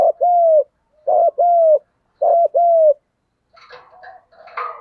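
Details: Spotted dove, male and female, cooing in a 'thúc gù' style: three two-part mellow hoots, each a short note then a longer steady one, about a second apart. Faint rustling noise follows.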